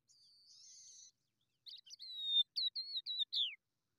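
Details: Hungry skylark nestlings begging for food: a thin, high buzzing note, a brief pause, then a rapid run of sharp, high chirps and falling squeaks, about six in quick succession.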